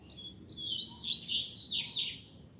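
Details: Captive Double-collared seedeater singing in a song duel, with a single dense, high, twittering phrase that swells quickly, peaks with bright slurred notes, then fades out within about two seconds.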